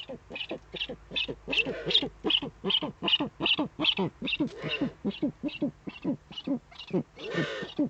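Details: Eurasian eagle-owls on a nest webcam in the Eifel, Germany, evening of 23 February 2015, the male delivering a prey gift to the female; a rapid run of short, harsh, rasping pulses, about two to three per second, continuing steadily throughout.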